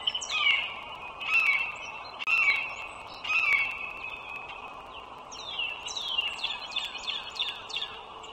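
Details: Bald eagle, one of a wild pair living by a toll road in northern Virginia, morning of 21 March 2023: four loud, drawn-out descending squeals about a second apart, then a quicker run of high chittering notes, with constant background hum.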